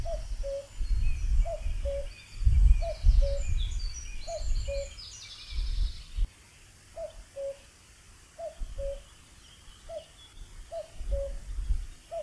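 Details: Common cuckoo calling steadily, the two-note falling 'cuck-oo' repeated roughly every one and a half seconds, eight times, over heavy low wind rumble and a brief chatter of another bird early on.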